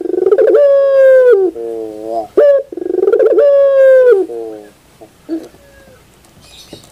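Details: Two loud pelung phrases from a puter, the Barbary dove, in the morning: long ringing coos easing downward, each with a lower rolling tail and a short sharp note between, then fading to faint quiet calls.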